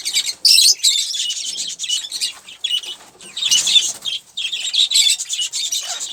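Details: A pet olive-throated parakeet eating sunflower seeds and drinking water gives a steady stream of harsh, high chattering and screechy notes, with some rustling and wing-flutter sounds mixed in.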